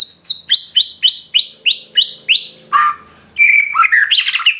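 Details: Murai batu song opening with about ten loud, evenly spaced falling whistles several per second, followed by a pause and a tumbling burst of varied warbled notes.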